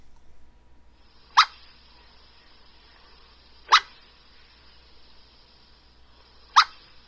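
Burrowing Owl giving three single, sharp, rasping flight calls spaced about two to three seconds apart, against a quiet background.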